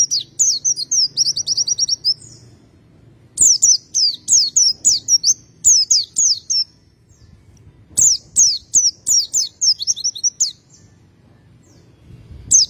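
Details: Pleci, a white-eye (Zosterops), singing continuously in the "ngacir" style: rapid series of very high, thin descending notes strung into bursts of about ten, separated by short pauses, over a soft low hum.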